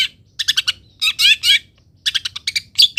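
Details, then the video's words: Long-tailed shrike singing, played as training song for other birds: quick stuttering chirps, a longer scratchy warbled phrase, then another run of rapid notes. "MASTERAN CENDET ANTI GAGAL - CENDET MANAPUN IKUT BUNYI DENGAR INI"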